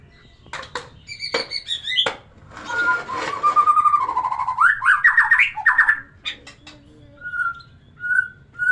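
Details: White-rumped shama song to encourage a female to breed: sharp clicks, a long warbling whistled passage with rising slurred notes over a soft hiss, then short clear whistles repeated about every half-second.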